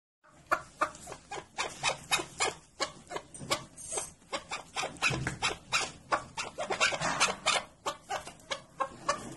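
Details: Chukar partridge, the keklik or mountain partridge, calling in a dense run of sharp, broadband chuk notes, roughly three per second, uneven in spacing and loudness, possibly several birds overlapping.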